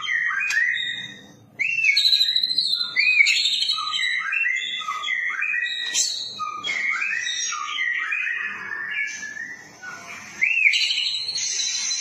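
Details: Rich white-rumped shama song with cililin-style imitation, used as training audio for songbirds: repeated rising upslurred whistles, quick warbled runs and chattering notes, almost unbroken over twelve seconds, with a few sharp high accents.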